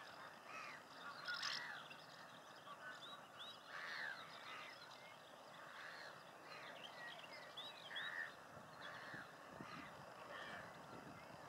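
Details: Common house martins in May 2018 at De Onlanden, Netherlands, gathering mud for nest building; short chirping calls repeat every second or two over steady background noise.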